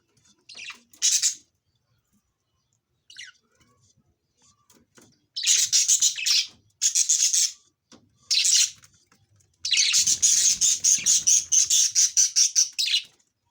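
Budgerigar chick gives harsh, high-pitched raspy calls in bursts, ending in a long rapid chattering series.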